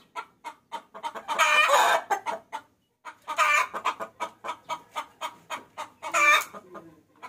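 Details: Lure recording of a hen calling the rooster: steady, rhythmic clucks about every third of a second, with loud drawn-out raspy squawks rising out of the series three times.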